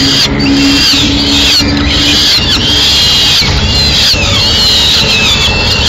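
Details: At a Madrid peregrine falcon nest, 4 May 2016, the male delivers a swift and feeds the chicks. High, thin squealing notes, some curving upward, come in a near-continuous series over constant hissing noise.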